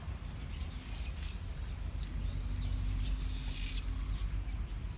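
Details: Song of a Chinese blackbird: bright, looping whistled phrases that rise and fall, with a louder arched phrase near the end, set against constant low-pitched hum and background rumble.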